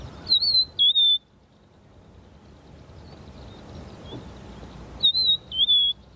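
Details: Rufous-naped Lark calling from a large mound of soil as a song post: a clear, high two-note whistle, the second note slurred lower, repeated after about five seconds of quiet.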